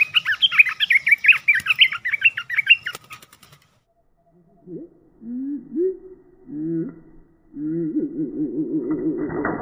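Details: A decoy red-whiskered bulbul, July 2021, gives about three seconds of busy warbled chirps. Silence follows, then low, drawn-out cooing notes and a low rapid wavering sound.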